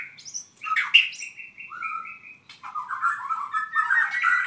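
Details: Song of an albino white-rumped shama from Purwokerto: a harsh high burst, then steady whistled notes held and stepped down, followed by a fast, warbling, trilled passage mixed with high scratchy notes.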